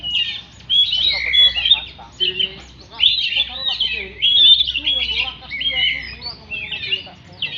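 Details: ['Oriental magpie-robin delivering loud, varied phrases of whistles and chattering trills, separated by brief gaps, with fainter lower notes in between.']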